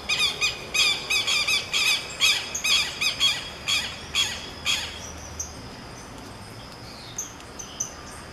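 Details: A Southern Lapwing (Vanellus chilensis) pair sings in duet: loud, harsh, repeated nasal shrieks about twice a second, fading after five seconds to a few scattered notes.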